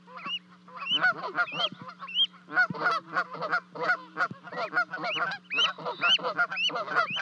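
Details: Canada goose family in Charlo, Montana, May 2020, as two goslings leap from a nest 30 feet up to join their parents; dense, overlapping high rising peeps and coarse honking calls come nearly continuously.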